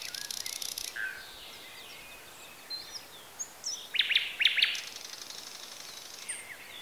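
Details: Birds in Bessarabia, Ukraine, recorded with a Zoom H4n: a dense high buzzy burst at the start, quiet scattered chirps, then a cluster of sharp clicking notes followed by a soft trill and steady outdoor hiss.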